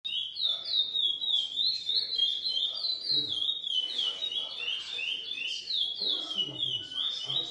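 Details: Captive-bred lesser seed finch of GP x Coimbra line, singing a fast run of clear whistled notes, each a quick up-and-down slur, about three per second, steady and unbroken with faint room noise below.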